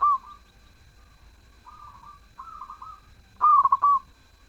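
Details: Persistent zebra dove song: several soft, wavering coos at moderate pitch from a more distant bird, then one loud, crisp phrase of rapid clipped notes ending in a held coo.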